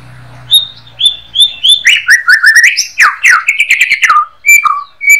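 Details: White-rumped shama (murai batu) in everyday 'harian receh' singing for training songbirds. Repeated level high whistles open, followed by a dense run of slurred chattering notes and clean sustained whistles.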